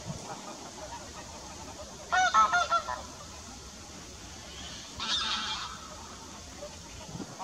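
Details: Wild flock of geese on Eccup Reservoir, north of Leeds: two short bursts of harsh, nasal honking, each lasting under a second and about three seconds apart, against a quiet, steady background hiss.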